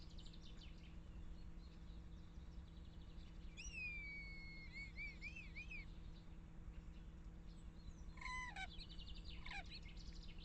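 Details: Common starling giving varied sounds: a long whistle sliding down then wavering up and down, later sharp falling whistles and clicks, over a steady low rumble of background noise.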